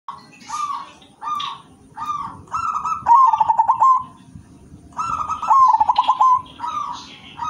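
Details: Silver zebra dove (perkutut) singing steadily in the prized 'manggung' style with a rich rhythm: short mellow coo notes build into a rolling, trilled cooing phrase, heard twice, with faint higher chirps behind.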